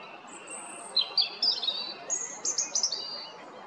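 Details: European robin at Jarun, Zagreb, April 2022: a thin high whistle opens, then a fast tumbling series of sharp, liquid notes and trills, lively and sweet, about a dozen notes in under three seconds.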